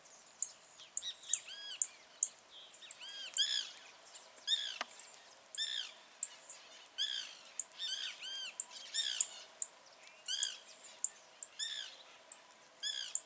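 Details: Song of a wild blue-black grassquit in natural surroundings: crisp, very high clicks repeated regularly through the recording, overlapping a dense chorus of curved, ringing chirps from other birds.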